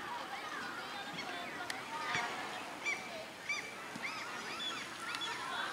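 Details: A crowd of Common Gulls (Larus canus) in Sweden calls at once: overlapping nasal, mewing cries and short squeals, several every second, over a steady outdoor hiss.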